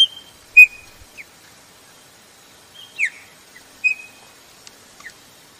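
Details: Chopi blackbird (Gnorimopsar chopi), female call: female calling to excite males.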